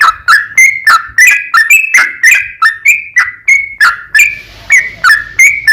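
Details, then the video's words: Sooty-headed bulbul in a long, rapid 'ropel panjang' singing style, used as a lure to prompt other bulbuls to sing back: quick bubbly fluty notes, about three per second, each with a sharp start and a sliding tail. "TRUCUKAN GACOR ROPEL PANJANG"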